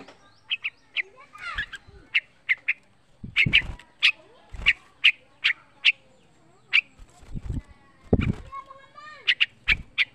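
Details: Young caged yellow-vented bulbul, a pet songbird, whose song is used as a lure to get other bulbuls singing. Sharp bright chirps repeat roughly every half second, broken by several loud low knocks and thumps.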